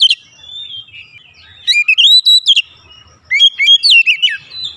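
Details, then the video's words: Agitated Oriental magpie-robin (kacer) unloading its isian song: a quiet thin warble, then two bursts of loud, clear whistles and sharp chirps separated by a short pause, with faint low rumble underneath. "Kacer emosi bongkar isian"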